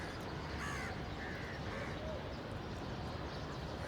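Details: Black crow giving three harsh, nasal caws in quick succession early on, then falling quiet, against a constant low rumbling background noise.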